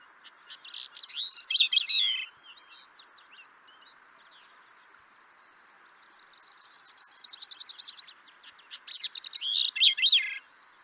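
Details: A North American thrush sings clear, varied phrases: a warbled opening, a fast even trill, then a bright fluting flourish, all high-pitched over faint background hiss.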